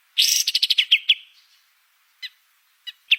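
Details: Ashy tailorbird song for training caged birds: one fast rattling trill of about ten sharp notes that fades into a thin tail, followed by a few isolated chips.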